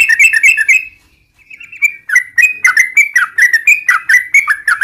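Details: Gacor yellow-vented bulbul in long ropel style, used to prompt caged birds into replying; bubbly warbled phrases, a short pause, then a steady chain of rapid, slurred chirps rising and falling.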